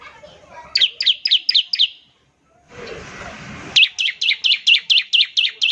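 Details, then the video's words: Bar-winged prinia calling as a lure for other prinias to sing: a row of five falling chips, a break with low rustling noise, then a longer, rapid series of about nine similar notes. "ciblek semi gacor, NEMBAK NGEBREN untuk pancingan ciblek semi agar cepat bunyi"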